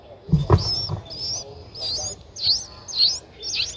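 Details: Nine-day-old Streak-eared Bulbul nestlings in Ubon Ratchathani, Thailand, on 11 April 2023, eyes open since day seven: thin, high wavering calls come in a row of short bursts, with a few low thumps and rustles near the start.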